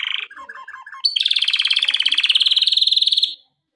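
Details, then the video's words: A male canary sings a training song. A few short mixed notes lead into a long, fast, even roll of repeated pulses. The roll holds high and steady, then stops abruptly into silence. "آواز خواندن کنری"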